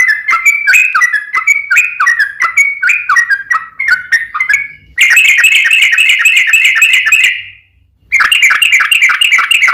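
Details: Long rapid 'ropel panjang' song of a yellow-vented bulbul, used as a lure to make other bulbuls sing. Bubbly repeated chirps lead into a loud, dense chattering trill, a brief silence, then the trill again.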